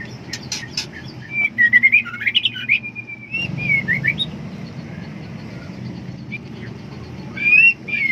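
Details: A female white-rumped shama in heat seeks a mate with a run of slurred, rising whistles after a few dry ticks. Quiet follows, then one final upward whistle.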